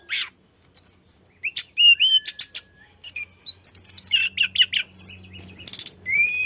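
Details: Flycatcher (tledekan) in energetic song, used to prompt other birds to sing: a quick run of high whistled slurs and rising-falling notes, then dense stuttering chips, ending in a long steady whistle; a faint low hum underneath.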